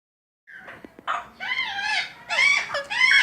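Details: Young Alexandrine parakeet being cared for at a Sunday market in Lalukhet: harsh, nasal, wavering squawks, some drawn out, rising and falling, in loose overlapping bursts.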